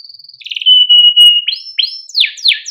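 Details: Male canary in full, long song, used to train young canaries to sing: a steady high note, a rapid rattling trill, a long even whistle, then repeated loud down-slurred sweeping notes.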